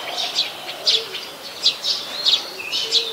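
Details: Brown-throated sunbird, Ubon Ratchathani, Thailand, recorded 13 January 2021 on a Nikon P1000. Short high chirps in clusters, ending with a slurred rising whistle, over a faint low hum.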